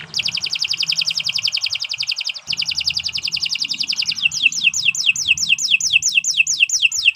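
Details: Canary singing as tutor material for other birds: a long, very rapid high trill of repeated notes broken by a short pause, then changing into a series of clear descending slurred notes, steady and fast throughout.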